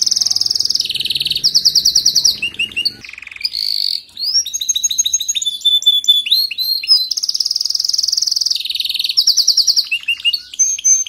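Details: Canary song played to encourage a weak singer: fast, dense trills of repeated high notes switch abruptly between tours, with rising sweeps and a short pause near three seconds before the rolling trills resume.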